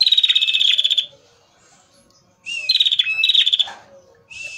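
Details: Male red prinia singing vigorously, recording for luring birds: a fast high pulsed trill for about a second, silence, then two more trills each introduced by a short rising whistle.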